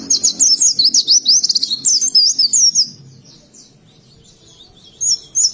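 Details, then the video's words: Oriental white-eye from Indonesia singing in the ngalas style: a rapid run of high, thin twittering notes sweeping up and down for about three seconds, then a short pause, then a few more chirps. "Burung Pleci Ngalas"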